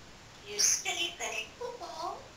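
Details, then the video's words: Pet parrot in a blanket-covered cage, talking when it is supposed to be asleep, practising a phrase. Speech-like syllables come in four short bursts with bright, breathy upper tones; quiet room. "BEST TALKING PARROT IN THE WORLD"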